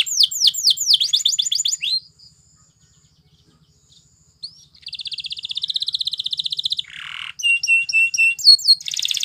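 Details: A Belgian canary sings for training other canaries, starting with swift descending notes, a pause, then a long buzzy trill, a lower rattle and high flat pips.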